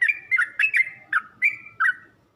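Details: Yellow-vented bulbul notes from a training recording meant to teach birds to sing: a few separate bright chirps, some doubled, with short sliding tails, spaced irregularly over a couple of seconds.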